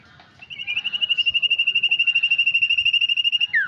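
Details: Sirtu lure meant to make birds start singing quickly: one long, steady, rapidly pulsed whistled trill, about eight pulses a second, lasting some three seconds and ending in a quick downward slur.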